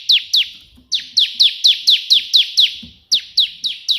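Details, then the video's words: Bar-winged prinia singing loudly in the 'tembakan' burst style of the perenjak putih, a steady series of sharp falling notes at about four per second, broken by two short pauses. "burung ciblek gacor versi tembakan perenjak putih"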